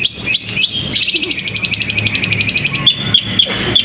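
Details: High, rapid trill from a caged singing-competition bird, about four notes per second, opened and closed by a few separate sharp chirps.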